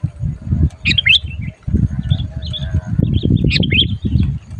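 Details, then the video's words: Sooty-headed bulbul heard while being lured for trapping; two bright tumbling chirp phrases with faint warbles between them, largely masked by steady low rumbling and handling noise. "SUARA BURUNG MACIT DISAAt DIBAWA MIkat"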